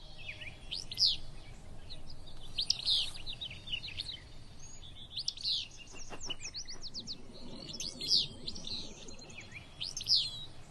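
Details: At Kern River Preserve on a cool morning, a Willow Flycatcher, a small plain bird nesting near rivers, repeats its sneezy, buzzy two-part fitz-bew every two to three seconds, with a few soft chirps.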